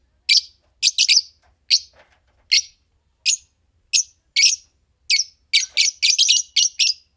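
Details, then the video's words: Shrill, rasping chirps from a green pair of Fischer's lovebirds, singly or in doublets and spaced irregularly, bunching into a rapid cluster near the end. "Lovebird Singing & Chirping Sounds - Green Fischer Pair"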